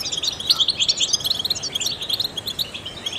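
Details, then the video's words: Trained European goldfinch singing, its song used to stimulate other songbirds; dense, rapid twittering of high, tinkling chirps and short buzzy notes, continuous and bright, with steady faint background hiss. "in the wild goldfinches chirp to stimulate songbirds"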